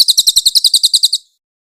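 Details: Short burst from a grey-headed canary-flycatcher: about twelve sharp, high chips in just over one second, evenly spaced and then ending abruptly. Clear master recording.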